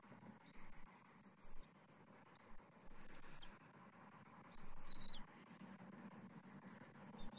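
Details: Bald eagle eaglet at the nest during a tandem feeding by both parents after a fresh fish delivery, 21 January 2024. A few high, thin, slurred whistled calls, some falling at the end, spaced several seconds apart over low rumbling background noise.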